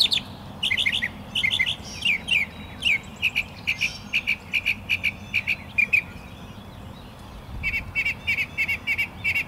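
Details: Mockingbirds fighting pretty hard: a rapid string of bright, chirpy notes, mostly in pairs and triplets with short gaps, then a faster, steadier run of clipped chirps near the end. A low rumble of background noise runs throughout.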